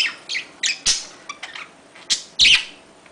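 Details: Budgerigars during mating utter a few scattered short chirps and squawks separated by quiet gaps, ending with a loud harsh squawk.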